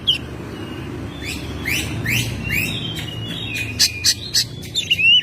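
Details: Home-kept Oriental magpie-robin singing in May. Fast upward-sweeping whistles, a thin steady whistled tone, then three short, loud ringing notes and a final rising slur, over low background noise.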